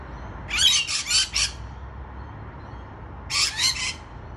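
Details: Two bursts of harsh, raspy screeching from rainbow lorikeets on a balcony, each with three or four pulsed squawks, separated by nearly two seconds of quiet.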